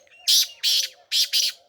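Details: A caged Black francolin (black partridge) in Sindh, Pakistan, gives four loud, harsh, grating notes in two quick pairs, each rasping burst about a fifth of a second long, over a faint low hum.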